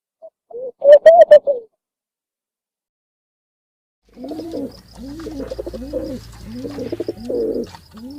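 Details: Bird calls: a loud low hooting burst, silence, then soft repeated low rolling coos with a faint steady hum underneath.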